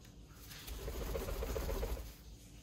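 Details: A pet grey parrot gives a low, speech-like mumble of about a second, voiced syllables in a human talking rhythm, over a soft indoor hum; it mimics the voices of the people whose words it says.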